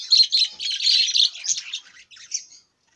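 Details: Budgerigar chattering: a loud continuous run of rapid, scratchy, high warbled notes that gradually fades, with a few brief chirps trailing off before silence.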